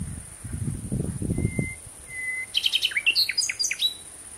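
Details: Common nightingale at sunset, June 2017: two long, pure, even whistles, then a fast burst of sharp, varied chirps, with a low rumble early on.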